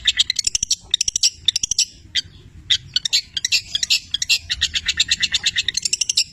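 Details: Long-tailed shrike of the 'petir' style from Cililin singing vigorously, its song filled with imitations of labet and canary; dense runs of sharp, high, scratchy notes, rapid chattering bursts with brief pauses, continuing almost unbroken near the end.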